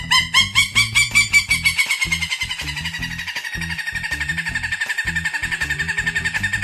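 A Peruvian thick-knee gives a fast series of shrill, piping notes, about two or three a second, slowly sliding lower in pitch, over a thumping music beat.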